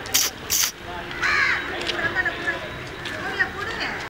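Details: An Asian paradise flycatcher gives two quick, harsh rasping notes, then a longer grating skreek call, followed by softer scattered chips over faint background noise.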